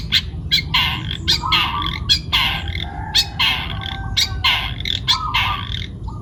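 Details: Long-tailed shrike, a young bird taken from the wild, Pati in Central Java, in full song: rasping broadband notes in irregular bursts, mixed with lower drawn-out whistles between them, over steady low hum.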